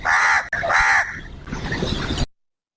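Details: House crow, a familiar city scavenger commonly seen around human habitation: two harsh, nasal caws in quick succession, followed by a fainter, rasping, noisy stretch before silence.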